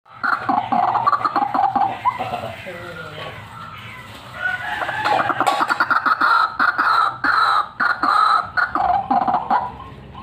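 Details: White-breasted waterhen, a fighter bird used as a lure call, giving loud harsh croaking notes in fast irregular runs, strongest in the second half, with short pauses between bursts.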